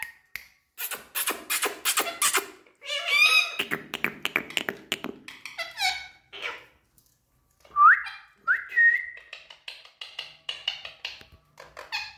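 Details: Indian parrot indoors making speech-like chatter: raspy bursts and clicks, then rising whistled notes and rapid scratchy syllables, with tapping sounds throughout.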